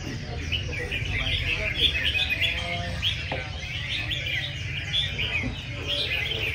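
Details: Caged red-whiskered bulbuls singing against one another at a busy competition. Bright, jumbled whistled phrases and chirps overlap throughout. Crowd murmur, human voices and a brief sharp knock sound around the birds.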